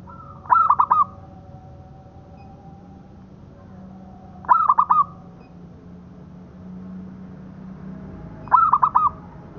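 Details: Song of a local zebra dove, kept as a tutor recording: three brief phrases of fast, stuttering, hollow coo notes, one every four seconds or so, over a faint low hum.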